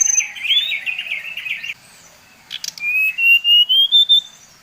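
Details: Bali-type brown-chested jungle flycatcher singing a lure to provoke its kind: a buzzy rattling phrase, then a long series of pure whistles gently rising in pitch.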